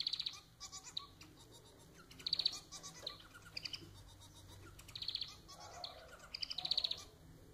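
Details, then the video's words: Pet society finch (manon) singing a run of buzzy, rattling phrases, each a fast train of nasal pulses repeated every second or two, with a constant high-pitched whine in the background. "Vídeo para fazer seu MANON cantar muito!"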